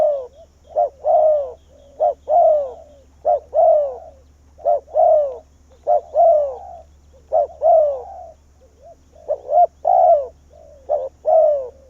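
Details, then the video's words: Spotted dove decoy bird, a Vietnamese cu gáy used to call wild doves in, giving repeated cooing phrases: short rising notes followed by a longer, falling coo, phrases roughly every second with steady low hum beneath. "Cu Gáy Việt Rút Bổi Về Chung Tàn | suara burung tekukur"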